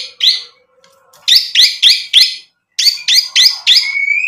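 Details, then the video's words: White-rumped shama in a lure recording to make other birds respond: harsh, scratchy notes in quick groups of three or four, with a short gap between groups and a thin whistle trailing at the end. "MURAI BATU GACOR bikin EMOSI ampuh buat PANCINGAN biar NYAUT BUNYI"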